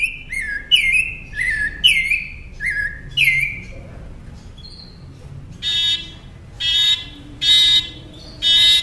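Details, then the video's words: Northern mockingbird song used as tutor audio for caged songbirds: four sliding, descending whistled notes repeated about every 0.6 seconds, then loud harsh buzzy bursts repeated at a slower pace. "Masteran Pintar Burung Kicau Northern Mockingbird"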